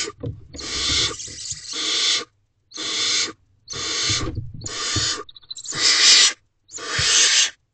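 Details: Barn owls in an owl box at 8:41 pm on 30 April 2023, a parent, likely the male, bringing food to the owlets: six harsh, hissing screeches, each about a second long, with short silent gaps between them.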